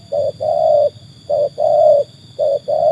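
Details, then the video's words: Spotted dove kept and trained as a caller, cooing strongly: three pairs of a clipped coo and a sustained even coo, the last cut short, over a faint background hum. "kualitas burung tekukur ajaran sudah teruji oleh burung liar"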